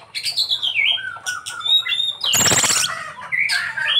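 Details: Oriental magpie-robin (kacer) singing its isian, a song filled with varied notes: clear whistled phrases sliding up and down, interrupted near the middle by a loud, harsh, broadband rasping burst, then more bright warbled whistles.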